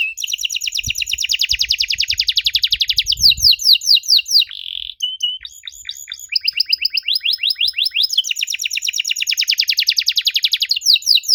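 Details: Singing canary whose unusual song is meant to make young canaries respond. It gives long, rapid rattling trills of high repeated notes, a brief buzzy tone midway, then clipped chips and another extended fast trill.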